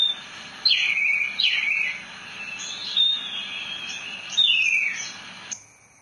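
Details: Branjangan, the Javan bush lark, in rolling song: repeated downward-sweeping whistled slurs mixed with high sharp notes, phrases every second or so, ending abruptly.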